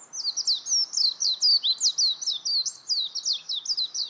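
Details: A warbling white-eye pours out an unbroken, lively string of thin, high zigzagging notes for four seconds. The notes are delivered several per second and are loud and clear.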